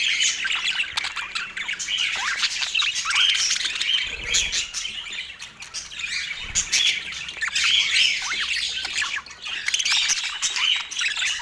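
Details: Autumn morning feeding of pet parakeets: quick twittering chirps and short squawks repeat rapidly and overlap through the whole stretch.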